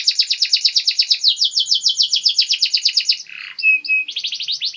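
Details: Canary master song for teaching young birds: a long rapid buzzy trill of evenly pulsed notes, a brief harsh note and two pure whistles, then the trill resumes.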